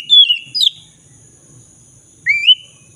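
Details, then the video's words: Black-throated magpie-robin in full, active song, played as a lure to get a silent bird singing again: a sharp descending whistle with a buzzy note, a gap, then a rising two-part whistle. "Pancingan kacer dada hitam gacor - pulihkan kacer macet bunyi"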